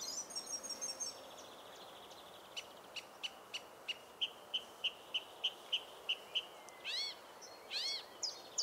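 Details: Song Thrush singing its fast, dynamic song in woodland park: a high trill opens, then a clear note repeated about fourteen times in a steady series, ending in sharp rising-falling whistles.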